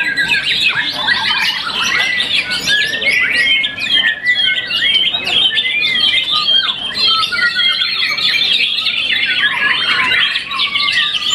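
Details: Contest-winning young white-rumped shama, moulted once, delivering a long, loud, varied song: quick rising and falling whistled phrases mixed with scratchy chatter and fast trills, continuous with barely a break.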